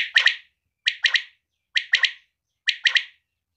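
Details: Female quail giving four evenly spaced triple-note calls, each a sharp, clipped chatter of three quick pulses repeated about every 0.9 seconds, in clean silence between.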